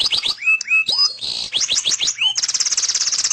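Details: Canary song of sweeping whistled slurs dropping in pitch, interspersed with quick chips, ending in a fast, even, buzzy rolling trill.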